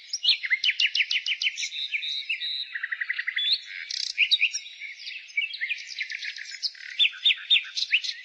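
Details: Nightingale in spring delivering quick rattling trills, a lower run of rapid pulses near the middle, then varied chirped phrases, while other birds sing faintly behind.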